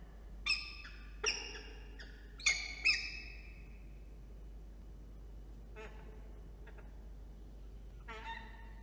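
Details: Peregrine falcon at its nest ledge during incubation of three eggs, recorded by nest camera in New South Wales, Australia, on 27 September in early morning; four harsh, strained calls in the first three seconds, then quieter rasping notes.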